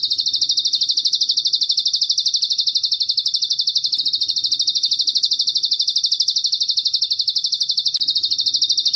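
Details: Bar-winged prinia, known locally as ciblek gunung, singing energetically with cililin filling: a continuous run of thin, high chirps, roughly three each second, very even in pitch and rhythm throughout.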